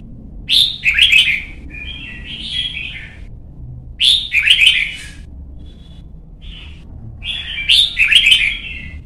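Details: Young Red-whiskered bulbul, caged and in song training for competition, repeating loud bubbling warbled phrases with sharp chirps, three main bursts spaced about three to four seconds apart.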